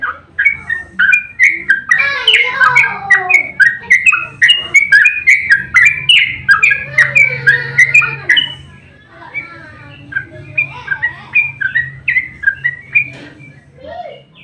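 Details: Fighting yellow-vented bulbul with emotional 'ropel' song meant to stir other birds to answer: dense overlapping chattering and whistles, busiest in the first half, then sparser phrases over a steady low hum.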